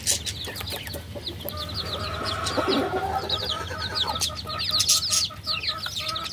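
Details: Baby chickens giving thin, high peeps in loose bursts over a constant mid-pitched tonal hum and rustling, the chirping growing busier toward the end.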